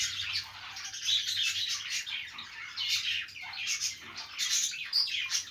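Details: Budgies singing happily while playing give a steady flow of high, rasping twitters with occasional clear whistled notes poking through the chatter.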